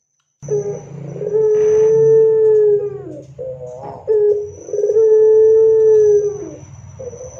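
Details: Barbary dove, a loud and frequent singer, cooing to prompt other doves to answer. Two long sustained hoots, each opening with a rolling, throaty burst and sagging downward at the end, separated by a short gap.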